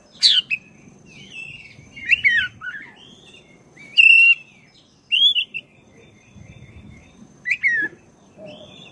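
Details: Black-breasted oriental magpie-robin singing long and steadily as a lure to stir caged birds; bursts of rich whistles, buzzy notes and rising-falling slurs come in separate phrases with brief gaps, over a faint low rumble.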